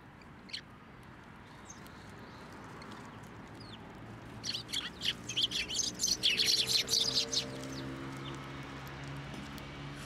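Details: A group of sparrows fed by hand and on posts at a Tenmangu shrine on 24 November 2023. A quiet start with faint background hum gives way midway to a dense flurry of overlapping high chirps that then fades.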